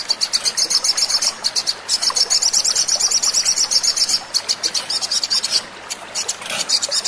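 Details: Sogon (little spiderhunter) lure song played to make birds sing: dense bursts of shrill, rapid chip notes, several pauses, and quieter trailing notes near the end over light hiss.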